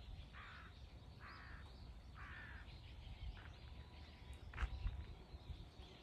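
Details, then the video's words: Three crows mobbing a hawk, recorded 21 October 2023: harsh, hoarse caws repeated roughly once a second, three clear calls followed by fainter scattered calls and a low background rumble. "3 crows vs hawk ,カラス,까마귀"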